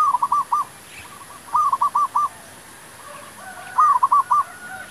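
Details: Zebra dove song played to lure wild doves into a trap: three bursts of four or five rapid, bubbling coo notes, spaced about every one and a half seconds, over a quiet background.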